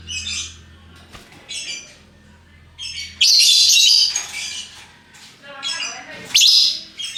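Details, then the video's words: Multicoloured lovebirds, hook-billed parrots, calling in ngekek style: clusters of sharp high chirps leading to a long raspy screech, then more squeaks and a final shrill burst, with a faint low hum early on. "Burung Lovebird Rupa Rupa Warnanya, Burung Paruh Bengkok, Bunyi Ngekek Gacor"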